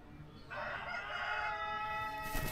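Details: Brahma rooster crowing: after a quiet start, a single long, harsh, harmonically rich crow holds steady for nearly two seconds, then breaks off into a noisy burst.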